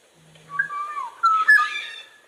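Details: Black-naped Oriole song, described as very clear, clean and bright: one short fluting whistled phrase that slides up and down, opening with a faint low steady hum.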